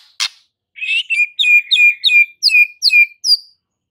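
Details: White-rumped shama song meant to provoke fighter males: a sharp click, then a run of bright whistled notes falling and rising, about two per second, with high buzzy overtones.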